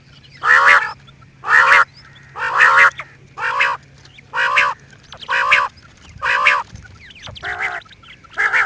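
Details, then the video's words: Quail repeating loud, nasal, honking squawks at a steady pace of roughly one per second, each note harsh and buzzy. "New and nice sound of quail"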